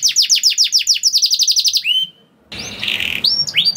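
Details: Canary song opening with fast repeated downward whistled sweeps and a quick trill, ending in a drawn-out note; after a brief pause, a noisier section with scattered chirps. Played to get other canaries singing.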